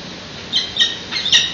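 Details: Peregrine falcon chicks being fed at a nest on a San Francisco PG&E building, captured by webcam at 8:35 am on 13 June 2017; four short, harsh, high squawks in two pairs over a faint hiss.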